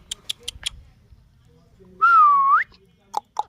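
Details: Ringneck parrot giving one loud whistle of about half a second, held level and then sweeping sharply upward. Faint clicks come before it and two brief chirpy notes follow.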